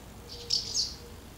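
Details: House martin at a busy nest site while young are fed, 24 August 2012; one brief high twittering chirp in two quick parts.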